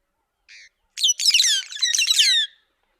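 A White-headed buffalo weaver gives one soft short note, then a loud squeaky, chattering run of harsh rising and falling notes lasting about a second and a half.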